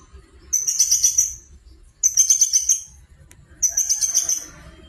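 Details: Long-tailed shrike singing actively, recorded as a lure to make other birds sing: three dense bursts of high, rapid, buzzy-chattering notes, each about a second long, separated by short pauses, over a faint low hum.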